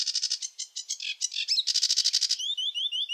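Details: Sedge warbler song: rushed, chattering bursts of rapid repeated notes, then a run of short rising whistled slurs near the end, all high-pitched with nothing else audible.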